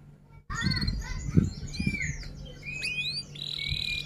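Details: F1 canary singing in a long-duration rolling 'rol tembak' style: a quick series of varied whistled notes, rising and falling slurs, and short buzzy phrases over steady low hum and rumbling background noise.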